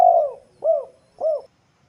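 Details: Bird with a melodious voice uttering three short, low, hooked cooing notes, evenly spaced roughly every 0.6 seconds, clear against silence.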